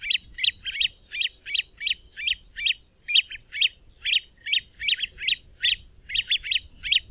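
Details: Great crested grebe giving sharp, high chirps in quick pairs and triplets, about two to three a second, with thin higher squeaky notes mixed in; background otherwise quiet.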